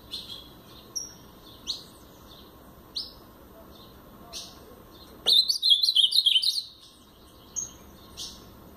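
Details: Paraná-style song from a brown pardo blue-black grosbeak: evenly spaced sharp chip notes, then a loud burst of fast jumbled warbling lasting just over a second, followed by more scattered chips.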